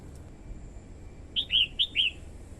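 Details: Red-whiskered bulbul, a female singing to stimulate males and draw wild birds. After a quiet start, a tight run of four bright whistled notes, slightly falling, with a low steady hum underneath.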